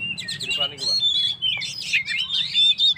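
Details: Lively Oriental magpie-robin song meant to stir up stressed birds: dense run of bright whistles, short trills and harsh chatter notes, nearly continuous for the whole clip.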